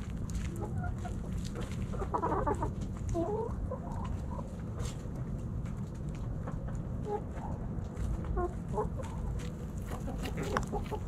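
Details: Backyard chickens, hens and roosters, snacking at Thanksgiving; a dense burst of clucking around two seconds, followed by scattered short clucks and chirpy notes over constant low background noise.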